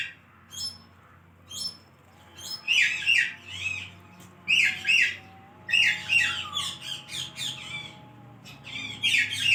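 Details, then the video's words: Talking pet parrot indoors: after a quiet start, loud raspy two-part vocal bursts come in irregular groups, voice-like phrases with a harsh, squawky tone, a faint steady hum underneath. "Adorable Talking Parrot"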